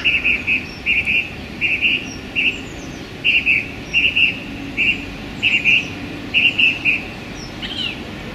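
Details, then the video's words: Male song thrush in full song in a small London park on a sunny January day, delivering clear, ringing notes in tight pairs and triplets, each phrase repeated several times, with a soft urban hum underneath. "Song Thrush Turdus philomelos singing in a London park on a sunny January day"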